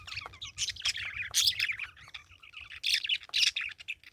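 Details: Parakeet chirping in quick, uneven bursts of high, scratchy twitters, with brief pauses between clusters of notes.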